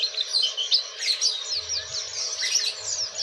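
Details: Oriental white-eye singing energetically in the ngeriwik style, a fast run of sharp high chirps and quick down-slurred whistles packed tightly together, over a soft low rumble that comes and goes in the background.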